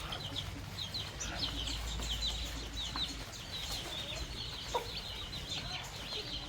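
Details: Baby chicks and young chickens pecking at a fresh meal of termites on a farm in the countryside; a dense, continuous chorus of high, short, down-slurred peeps from many chicks, with a low steady hum underneath.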